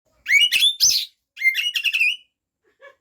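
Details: White-rumped shama showing off the mimicked fill-ins of its song: two loud bursts of high, sweeping whistles and chattery notes. The bursts are separated by a brief pause, and two soft lower notes close the phrase.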